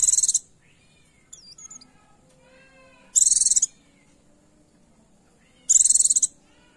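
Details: A female Oriental white-eye calls to draw a male, meant to excite males into singing: three sharp, high, buzzy trill bursts roughly every two and a half seconds, with a faint squeaky twitter between the first two.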